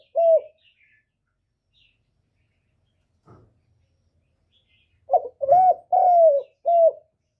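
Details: Spotted dove giving one isolated coo, then after a quiet gap a full phrase of soft low cooing notes with a long slightly falling note near the end.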